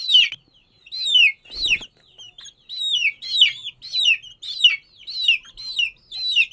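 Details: Chicken chick peeping: loud, high descending peeps, each a downward-sliding whistle, repeated roughly every half second without pause.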